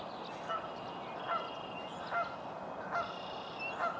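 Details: Virginia rail in a local park in the morning, giving short nasal notes roughly every 0.8 seconds over a steady hiss, with other birds chirping and trilling behind.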